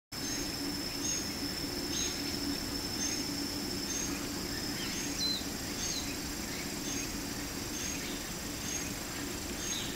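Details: A juvenile lesser cuckoo, raised by a Japanese bush warbler, gives intermittent thin, very high, short "kit, kit" notes about once a second, over a constant hiss and a low hum; recorded 15 September 2020.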